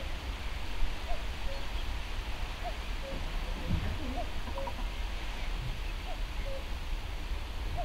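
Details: Common cuckoo (Cuculus canorus) calling at Brandon Marsh, Warwickshire, on 10 May 2012: a distant soft two-note cu-coo, falling in pitch and repeated every second or two, over a steady low rumble of wind.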